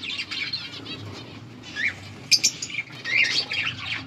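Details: Budgerigar pair in breeding condition giving mating calls, August 16, 2024: scattered warbles and squeaky chirps with a few sharp notes and wing flutters, softer overall.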